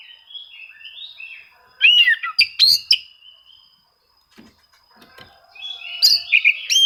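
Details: Oriental magpie-robin song to lure rivals and provoke silent birds: soft warbling, a loud burst of whistled and chattering notes, a near-silent gap, then more bright whistles at the end.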